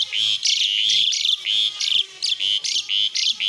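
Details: Asian pied starling giving vigorous besetan song, a fast string of harsh, buzzy chattering notes repeated about three times per second with hardly any break.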